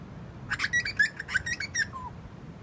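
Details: Song of a bird at Burleigh Heads: a fast tumbling run of short whistled and chattering notes over about a second and a half, ending in a softer, lower whistle that slides downward.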